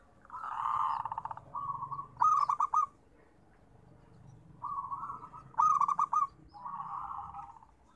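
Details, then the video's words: Zebra dove known locally as perkutut: repeated song phrases, each a rolling coo followed by a loud clipped series of staccato notes and another trilled coo, given twice with a pause between. "Suara Terapi Perkutut"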